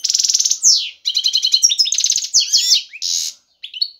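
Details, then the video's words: European goldfinch male in breeding condition calling a female to mate; fast, high, tinkling twitter mixing buzzy bursts, rattles and downslurred whistles, with a short pause before a final chirp. "ذكر الحسون جاهز, يبحث على الانثى للتزاوج"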